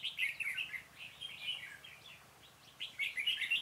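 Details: Decoy red-whiskered bulbul calling wild birds toward a trap on 26 February 2018; lively warbled chirps in clustered bursts, pausing briefly mid-clip before a rapid, louder run of notes.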